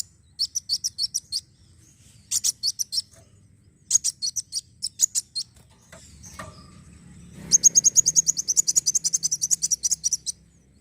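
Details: Black sunbird song as a lure: short clusters of high chirps, then a long, fast, even trill of rapid high notes over a low rumbling background.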